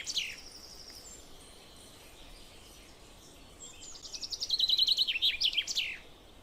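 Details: Common chaffinch singing: a faint high note at the start, then after a quiet gap a bright, quick trill of repeated notes that descends and ends in a short flourish, over a steady background hiss.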